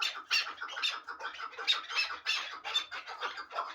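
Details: Sharp, bright chuck notes from a hybrid fighting and hunting partridge, delivered in quick uneven bursts.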